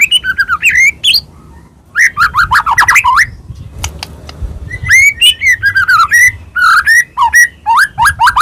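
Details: White-rumped shama of the Medan type delivering a full, varied song used to provoke other birds: tumbling whistled slurs and chattering phrases broken by a short pause with faint clicks.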